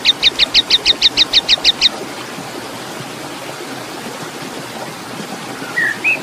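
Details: Oriental magpie-robin song used as contest training material in besetan and kasaran style: ten crisp, high, evenly spaced chirps in about two seconds, then near silence broken by two soft slurred whistles.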